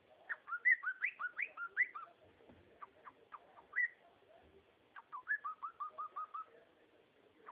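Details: Cockatiel song from a pet bird, with lively whistled phrases of rising and dipping notes in fast series, a pause with a few isolated chirps, then another rapid string of even whistles at a steady pace.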